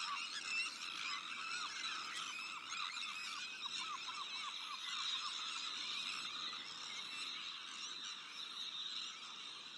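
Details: Breeding colony of Sandwich terns shared with black-headed gulls, arctic terns and common terns; a dense, continuous chorus of harsh, grating, overlapping calls, many short rising notes repeated rapidly throughout.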